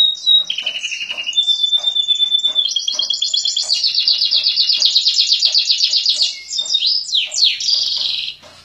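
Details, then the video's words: Prize-winning contest canary singing while set out to sunbathe: a loud, rapid song of high rolling trills and chirps, with fast repeated notes, long sustained trilled stretches and sweeping whistles. "SUARA KENARI MASTER JUARA KONTES SAAT JEMUR"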